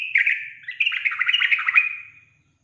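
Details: Sooty-headed bulbul lure song intended to provoke bulbuls. A busy, slightly harsh chattering phrase of quick notes rolls for about two seconds, then ends with a thin fading whistle.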